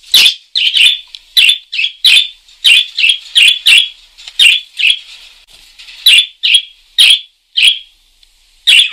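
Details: Lively parakeet call sequence of short, scratchy chirps, often paired, spaced roughly half a second apart with brief pauses between runs.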